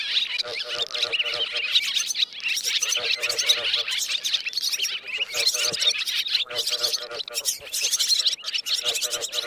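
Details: Roosting calls of swiftlets, played to draw birds into nets; a continuous chorus of high buzzy chirps and twitters with rapid clicking pulse trains repeating throughout.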